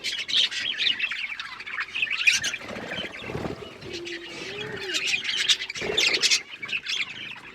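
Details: Budgerigars, pet Australian parrots, chirping together: dense overlapping warbles and squeaky chirps in a continuous busy chatter, with short louder bursts and a low faint tone at times.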